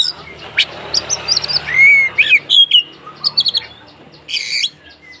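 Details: White-rumped shama fighting song meant to provoke other shamas: clear slurred whistles, rising and falling, mixed with sharp high chips and a harsh buzzy burst near the end, over a low background hum.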